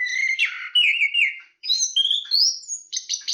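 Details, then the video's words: Chestnut-capped thrush, known locally as anis kembang, in a stretch of song: clear whistled slurs and trills, a lower drawn-out phrase followed by higher rising whistles and a buzzy ending. "Suara Kicauan Burung Terapi Anis Kembang"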